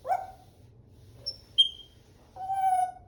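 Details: African grey parrot, kept as a pet, giving a few separate calls: a low harsh note, a short squeak, a sharp high whistle rising near the end, then a longer nasal tonal call lasting about three quarters of a second.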